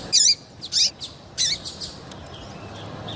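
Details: Female double-collared seedeater call meant to excite males into song. Several high, sharp chips with down-slurred tails come in the first two seconds, then only faint background noise follows.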